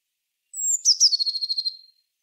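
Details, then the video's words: Eurasian blue tit song: a thin high note sliding down, then a fast descending trill of about a dozen buzzy repeated notes fading out, on a silent background. "Herrerillo común (Cyanistes caeruleus) Canto."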